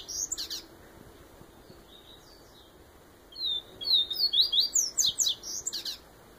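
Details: Viviti-style song from a Bahian yellow-bellied seedeater: a soft opening, then a fast run of sharp, high, down-slurred whistles in steady rhythm, with light hiss behind.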